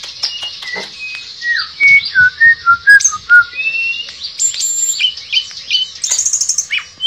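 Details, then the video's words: Shortwing called tledekan pring, with song in the nembak and ngerol style: a string of sliding whistles stepping downward, followed by higher notes and a short buzzy burst. "Terapi BURUNG TLEDEKAN PRING gacor nembak dan ngerol"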